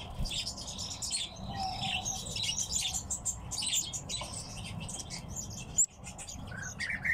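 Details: Several captive tits kept as pets chatter together in a steady stream of thin, high chirps and twitters, with a low background rumble and one sharp knock midway.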